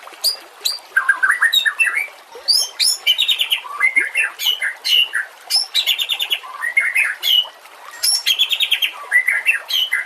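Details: White-rumped shama song used as a master recording for training other songbirds: a varied stream of rich whistles, rising and falling phrases, and scratchy, buzzy notes, delivered in short bursts with brief pauses throughout.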